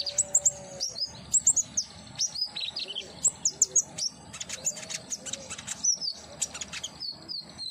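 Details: Common iora in a cage: busy high chirping and short hooked whistles tumble in quick irregular bursts, with a few longer falling whistles near the end over light background hiss.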